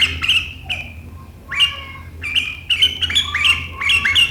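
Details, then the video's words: Sooty-headed bulbul singing sharp 'riwikan' chatter that prompts rivals to sing, 7 April 2023: short bright, slightly falling notes, then a quickening run of five or six crisp chattering bursts. "Suara burung KUTILANG GACOR RIWIKAN yang tajam membuat lawan ikutan ngeriwik"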